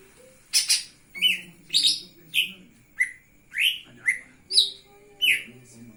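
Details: Singing lesser green leafbird, wings spread, pouring out a rapid run of about ten bright chirps, each a quick downward-sliding whistle, repeated roughly twice a second with a quiet hum underneath.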